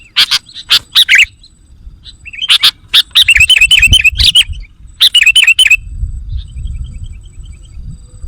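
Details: Sooty-headed bulbul lure sound meant to excite wild birds: rapid scratchy chattering notes, then a run of bubbly, wavering whistled phrases, ending in quieter scattered chirps over low background noise.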